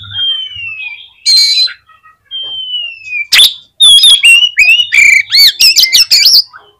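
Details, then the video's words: Oriental magpie-robin song played to stir up other magpie-robins: long clear whistles sliding downward, then a burst of rapid varied chirps, harsh notes and looping whistled phrases. "CUKUP DI PLAY 3 MENIT BIKIN KACER LANGSUNG EMOSI TINGGI !!! PASTI CEPAT ON"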